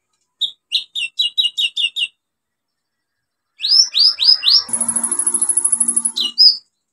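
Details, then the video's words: Olive-backed sunbird singing vigorously, used as a lure to stimulate sunbirds that have stopped singing: a row of seven sharp high chirps, a pause, then quick downslurred whistles running into a fast, thin, very high trill and a closing note. "KOLIBRI NINJA SUPER GACOR NEMBAK ISIAN BUAT TERAPI PANCINGAN KOLIBRI NINJA MACET BUNYI"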